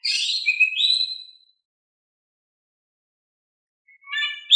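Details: Soft Oriental magpie-robin song meant to provoke quiet birds into answering: a brief gliding whistled phrase, a long silence, then the start of another phrase at the end.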